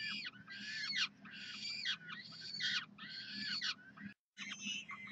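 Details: Falcons, peregrines at the University of Calgary, calling for food on Saturday morning, 9 June 2012: loud grating screams roughly every second, one brief dropout of silence near the end, then the screaming resumes.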